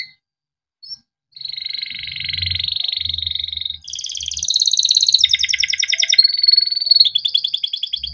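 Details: Yellow Timbrado canary singing a fast, continuous song: a steady high whistle gives way to rapid metallic rolls and trills that shift pitch every second or so.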